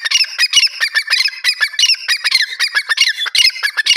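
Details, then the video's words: Natural francolin call: loud, rasping notes tumbling over one another in a fast, continuous burst lasting several seconds, harsh and throaty throughout. "francolin birds Natural voice,golden teetar ki awaz"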